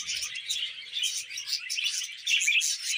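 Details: Caged pet budgies sing while eating vegetables, giving an unbroken stream of high-pitched chirps, squeaks and buzzy warbling notes.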